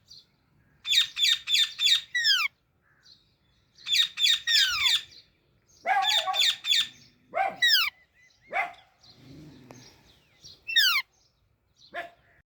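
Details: Baby Alexandrine parakeet chirping: bursts of four or five rapid, sharp, high chirps, each burst closing with a downward-sweeping squeaky note, separated by short pauses, with some softer lower squawks between bursts.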